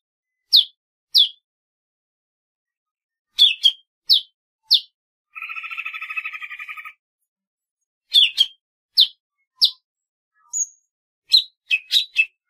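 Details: Golden-fronted leafbird singing: sharp, clean downslurred notes spaced irregularly, with a buzzy, rapidly pulsed phrase lasting over a second near the middle, then more quick chips and a short high whistle; quiet background.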